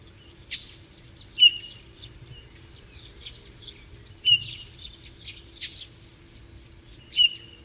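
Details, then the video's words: Eurasian bullfinch, a shy bird that lives hidden, singing soft, varied notes: short piping whistles and squeaky chirps that recur in small bursts about every three seconds, over a low steady hum. "Vogelstimmen: Der Gimpel - Bullfinch - Pyrrhula pyrrhula"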